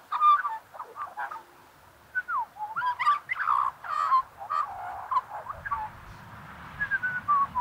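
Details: Australian magpie heard up close, giving a rich run of warbled, fluting notes with quick gurgling slides and rising and falling whistles, loud in bursts over about eight seconds with short gaps.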